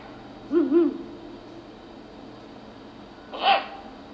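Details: A Great Grey Owl gives a chirping-type call rather than a bellowing cry: two soft, low hoots in quick succession, then after a pause a single higher, brighter squeaky note, against a quiet background.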